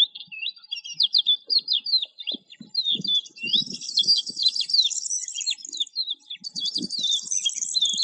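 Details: Lark song: a rapid, unbroken stream of high twittering and trilled notes, thickening into a dense buzzy warble in the second half, over faint low thumping sounds.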